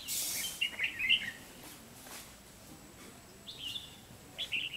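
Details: Lure Red-whiskered bulbul calling to trap a rival: a burst of bright warbled notes near the start, then two shorter chirpy phrases later, amid a noisy hiss and quiet background.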